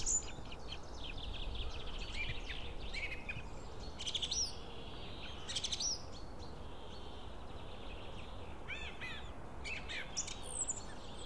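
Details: At a white-tailed eagle nest in Estonia during feeding on 16 Apr 2016, thin, high chirping calls come in short scattered bursts a few seconds apart, over a steady low rumble of wind.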